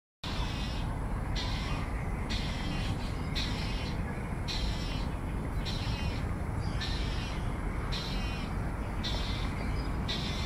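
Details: A young Malayan night heron that has already left the nest keeps begging its parents for food with harsh, rasping calls about once a second, over a steady low rumble of traffic or wind.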